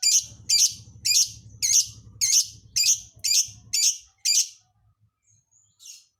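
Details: A lovebird sings an odd song filling: about nine loud, shrill, rasping chirps repeated evenly about twice a second, then a thin whistle and a final soft note.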